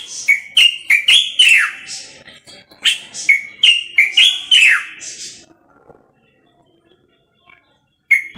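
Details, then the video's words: Moroccan common bulbul singing: loud, whistled phrases of short rising and falling notes, several ending in a sharp downward slur, in bursts over five seconds, then quiet before one more note. "استرخاء مع تغريد طائر البلبل المغربي صوت صفير البلابل"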